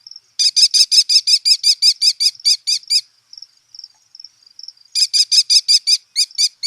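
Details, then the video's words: American kestrel, the smallest falcon in North America, calling in flight, a call audible from half a mile away; rapid series of shrill, high, sharp notes, about a dozen in quick succession, a brief pause with faint notes, then another fast burst. "you could be a half a mile away from this bird and hear that that call and it has to be the american kestrel"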